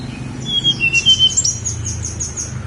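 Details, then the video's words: Snowy-browed flycatcher song, labelled Songgo Langit: a few thin, high whistled notes sliding slightly downward, followed by a quick run of very high, short, sibilant notes, over a steady low rumbling hum. "KICAU TLEDEKAN GUNUNG SONGGO LANGIT"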